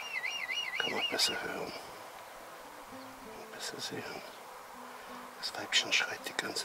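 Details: A female red kite in spring, about 32 m away, gives repeated high, quavering whistled screams while her absent mate fails to come; she had brought a branch. A man's voice speaks afterwards, with faint clicking.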